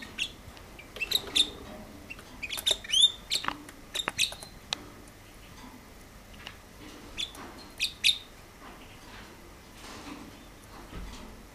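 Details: Hybrid canary, described as a red-bronze canary possibly crossed with a Mexican red sparrow, giving bright high chirps, clicks and quick sweeping notes in scattered bursts, busiest in the first half, over a low background hiss.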